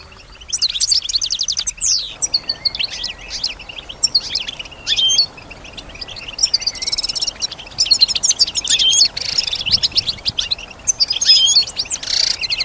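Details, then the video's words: European goldfinch, a kept female, imitates sounds around her in song: dense high twitters, fast trills and thin whistled notes run almost continuously over a soft background hiss. "Solutions to keep your goldfinch healthy and singing with strong stimulation"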